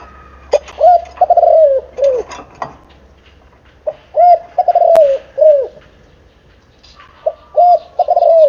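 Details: Spotted dove, seven months old, cooing in a lure style: three phrases of short hollow coos ending in a longer falling coo, repeated every three seconds or so, with a steady low hum behind.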